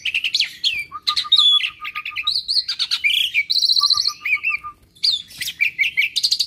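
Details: Captive Asian pied starling, a constant singer that copies other birds' sounds, giving a varied mix of whistles, chatters and a rapid run of repeated low clicking notes, with mimicked high buzzy phrases.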